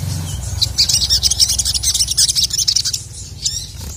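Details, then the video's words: Male crested jay singing to provoke rival males: a dense, fast, continuous run of high, sharp, chattering notes lasting nearly three seconds, then a short pause and a brief final flourish. A low background hum runs underneath. "SOGON MANAPUN NGMAUK GACOR langsung emosi dengar masteran suara burung sogon jantan ini"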